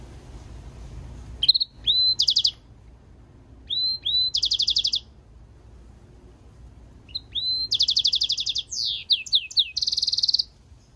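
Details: European goldfinch mule, a goldfinch-canary hybrid, singing in bursts: rapid trilled rattles and bright buzzy notes, with short upslurred whistles between phrases, separated by pauses of about a second or more; no other clear sounds.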